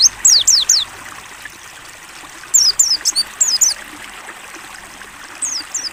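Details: Mountain white-eye in ngalas song for training, mixed with water therapy sound: short clusters of high, quick falling whistles separated by longer gaps, the trickling stream prominent between phrases.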